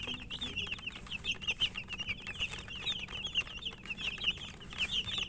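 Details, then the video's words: Eating chicken chicks give continuous high, slightly downslurred peeps, many birds at once, with light tapping of beaks against food. "Murgi chicks Chirping sounds and eating"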